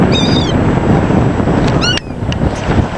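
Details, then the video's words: Seagulls being fed, with two clear high squealing calls, one near the start and one just before a sudden drop in background level, set against constant wind and wave noise. "2min 8sec of feeding seagulls"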